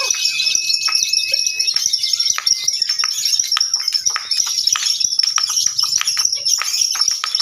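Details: Lovebirds competing in a singing contest: steady, rapid, high chattering rattle from several birds at once, with a few thin whistled notes and scattered sharp clicks throughout, plus faint background voices.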